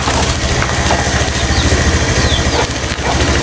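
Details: Loud, steady engine-like rumble with crushing and splintering wood noise throughout, and no animal voice heard.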